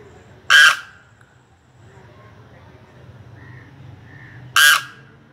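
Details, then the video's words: Two cranes walking through grass in the Altai Mountains give two loud, harsh, brassy calls about four seconds apart, each a brief blaring note, over a quiet low background hum. "Crane birds nice sound"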